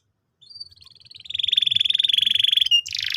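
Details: Canary song meant for training young birds: a soft start building into a long, fast, even buzzy trill held for over a second, ending in a sharp break and a rough burst.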